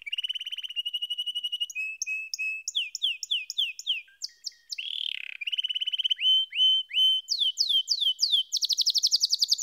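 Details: Long canary song passage moving through rapid trills, ringing repeated notes, swooping downslurs and a final fast buzzy roll of high notes.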